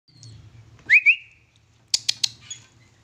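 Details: Household-kept sooty-headed bulbul giving two quick, bright rising whistled notes, then after a pause a burst of three or four harsh, buzzy chipping notes; faint low hum underneath.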